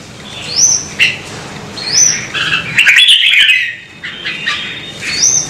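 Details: Red-whiskered bulbul in a track meant to excite birds into song: repeated thin rising whistles, each followed by a chirp, broken by a longer rich warbling phrase, over steady background hiss.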